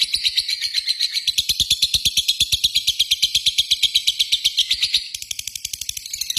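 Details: Lovebird delivering a long rapid trill, a continuous stream of quick high chattering pulses that softens near the end.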